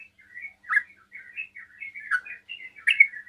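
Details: Sooty-headed bulbul singing a fast song to provoke other bulbuls to answer: a loose run of warbled, slurred whistled notes, some buzzy, with a louder chirp near the end; no other sounds.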